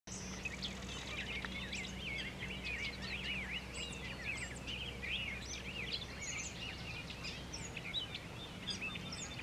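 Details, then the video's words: A dense bird chorus on top of Ferry Bluff over the Wisconsin River, Sauk County: several birds' quick high chirps, trills and short whistled phrases overlap throughout, over a steady low hum and faint background noise. "Bird Song"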